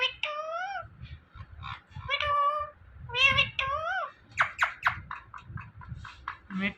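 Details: Indoor parrot repeatedly saying "Mithu": a string of harmonic, speech-like wavering calls, then a burst of short sharp squawky chatter notes, ending in a low voiced sound, with faint room noise.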